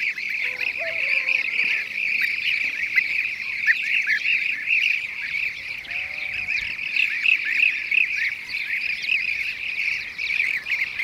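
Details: ['Blue-cheeked bee-eaters, filmed with bee prey, give a steady stream of rolling, purring trills from several birds at once, with a few faint lower calls of another kind early on and near the middle.']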